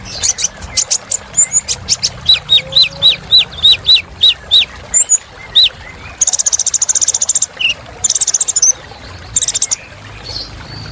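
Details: Lively Kolibri Ninja sunbird song: a steady run of upslurred whistled chirps, about two per second, followed by long, very high buzzy trills with short pauses between them.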